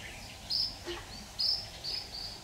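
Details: Red-whiskered bulbul at a trapping session with a decoy bird, 26 October 2019: a quick run of high, clear whistled notes in close succession, several loud strokes within two seconds, over faint background hiss.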